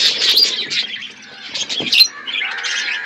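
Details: Budgerigars feeding on seeds in a natural outdoor aviary: bursts of scratchy chirps and squawks, a brief lull near the middle, then renewed chattering toward the end.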